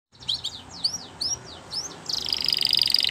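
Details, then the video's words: Belgian canary in a training video sings a quick series of high, rising-and-falling whistled notes, then breaks into a sustained rapid trill. "Belgian Canary Singing"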